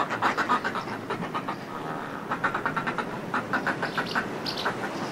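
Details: Close-up Northern fulmar calls from groups displaying on cliff ledges: loud, rhythmic, grating cackles in quick runs, fading then returning, with brief high chirps and steady surf noise in the background.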